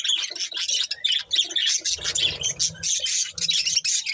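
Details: Budgerigars chirp while eating corn: quick, sharp, repeated tweets and scratchy warbles in short bursts, with a low rustling crunch partway through.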